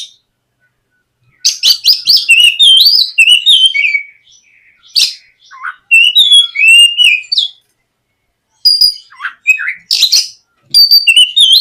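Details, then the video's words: White-rumped shama singing a lure song meant to prompt a young shama to start singing: loud bursts of clear whistles sweeping between high and mid pitch, mixed with sharp clicks, in phrases separated by short silences. "SUARA PIKAT BURUNG KACER GACOR NGEPLONG MEMANCING KACER BAHAN AGAR LEKAS BUNYI & GACOR"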